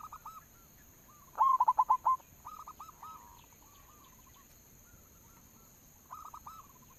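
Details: Zebra dove of the local type, played as a lure to make birds sing: soft rolling notes, then a loud run of about six quick notes, then quieter repeated phrases.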